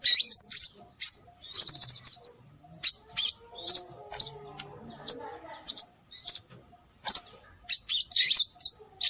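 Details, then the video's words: Scarlet minivet calls played to attract birds. High whistled chirps come in scattered bursts, with one fast, even trill of about ten notes early on, then single or paired sharp notes at irregular gaps over nine seconds. "Suara Burung Sepah Raja"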